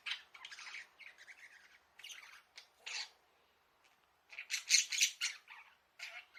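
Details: Pet budgerigars in an indoor bird house, filmed secretly, calling out to their owner for play: clusters of rapid buzzy, scratchy squawks and chirps, a short pause, then a louder burst of harsh calls.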